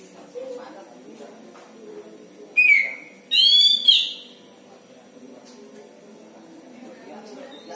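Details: Oriental magpie-robin kept as a hobby cage bird at home, producing a strange sound: a clear whistle followed by two harsh, nasal, strongly harmonic notes close together, then quiet with soft background murmur.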